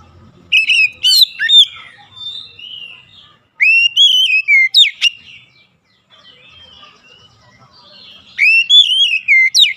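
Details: Lure song of an Oriental magpie-robin meant to spur silent birds into singing: three bright whistled phrases, each a rising then falling slur followed by quick sharp notes, with soft chattering in between.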